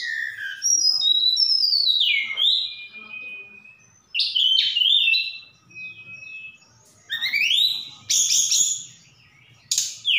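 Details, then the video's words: Song of a Javan bush lark from Sukabumi, Indonesia, rich in mimicked cililin and sikatan londo phrases: falling and rising slurred whistles, a sharp buzzy burst, then upswept whistles and clipped trills in several bouts. "Tledekan Gunung Gacor Sukabumi"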